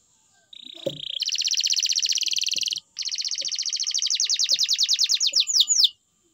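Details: Canary delivering a flat buzzy note followed by long, fast, even trills, the second gradually loosening into separate chips and ending in two sweeping notes.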